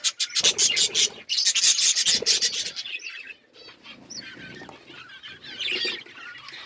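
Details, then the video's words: Several pet budgerigars chattering: a rapid burst of raspy, scratchy pulses for about three seconds, then softer twisting warbles and short high chirps with quick rises and falls. "Beautiful budgies colour birds chirping sounds"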